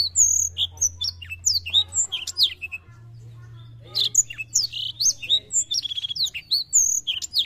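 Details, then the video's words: Black-throated canary in rapid, varied song: high sweet whistles, slurred trills and sharp chirps in quick bursts, with a brief pause mid-phrase and a low hum beneath. "BLACK THROAT GACOR AMPUH MERANGSANG BUNYI BURUNG MUDA"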